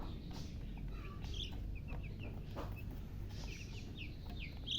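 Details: Coloured baby chickens (chicks) chirping from thirst for drinking water: scattered short, high peeps rise and fall, a few at a time, over a steady low hum.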